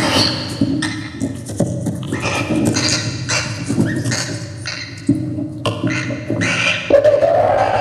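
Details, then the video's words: Laughing kookaburra in Australia in a loud, jumbled burst of rapid cackling notes that rise and fall, overlapping and tumbling together without pause, with a low background hum. "Kookaburra - Kacagójancsi"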